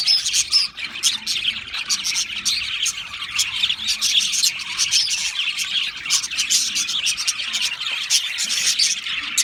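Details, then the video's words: Many Australian parrots chirping in a constant, lively chorus of rapid high tweets, clicks and warbled notes that overlap without pause. "Beautiful Australian Parrots Chirping sounds beautiful Parrots Sounds"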